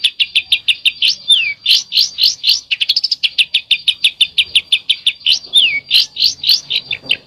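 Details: Rapid besetan-style singing from a bird: a fast, dense chain of sharp high notes, with occasional clear downward-sweeping whistles and a quicker trilled stretch partway through.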